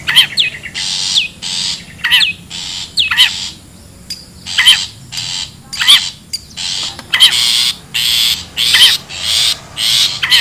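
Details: Long-tailed shrike in the wild, used as a lure: grating, noisy bursts in groups with brief pauses, plus sharp downslurred whistled notes.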